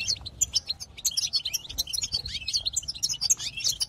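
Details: Goldfinch twittering song of the 'batbata' style, used to stir up other goldfinches: rapid jumbled high chirps and tinkles with a brief rising slurred note, continuous and lively.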